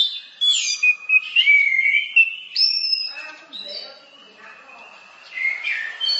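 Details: Orange-headed thrush masteran song: long slurred whistles wavering up and down, then softer scratchy notes and a faint low murmur before the whistling resumes.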